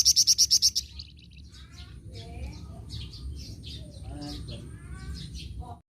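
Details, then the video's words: Flamboyan bird opening with six rapid, shrill high notes, then softer varied chirps, twitters and short whistles for the rest. "BURUNG FLAMBOYAN GACOR"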